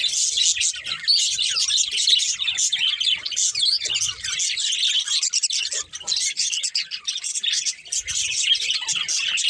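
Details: Group of budgies chirping without pause, a bright, scratchy, overlapping twitter that barely lets up, with small fluctuations in loudness.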